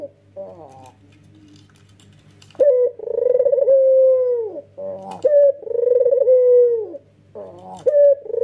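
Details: Male Barbary dove, white with red eyes, cooing hard in nodding style. A quiet low murmur leads into two loud, sustained, pulsing coos, each opened by a short stressed note, with a low hum beneath.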